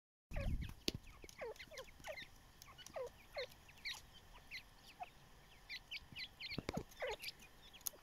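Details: Baby chicks sitting in the sun, giving a steady stream of high, downward-slurred peeps from several birds, with a few soft thumps and light rustling.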